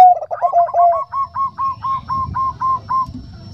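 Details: Bangkok-type zebra dove with a soft voice, described as a female calling a male: an opening rising coo with quick stutters, then a regular series of about ten short, rounded notes.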